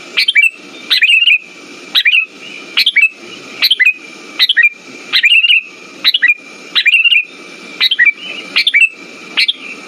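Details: Sooty-headed bulbul lure song for silent birds: a long run of short, cheerful chirped phrases, about twelve in ten seconds, each quick and slurred downward, over a steady thin background tone.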